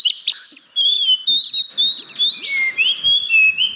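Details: Caged-bird lure song of the oriental magpie-robin: sustained sweet whistles gliding up and down, nearly continuous, with high thin overtones and scratchy notes layered over it.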